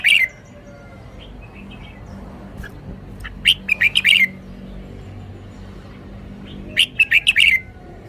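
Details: Red-whiskered bulbul showing its song phrasing: two short bursts of bright, warbled chirping notes, each lasting under a second, separated by several seconds of quiet with faint low background hum.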